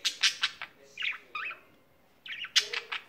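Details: Pet budgerigar singing: a few sharp clicking chirps, then wavering whistled twitters separated by short gaps, ending in another burst of clicks.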